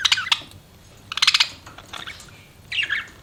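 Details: Pet budgies giving short, scratchy chirps in quick clusters, a brief sharp burst at the start, another around the middle, and a rising-falling warble near the end.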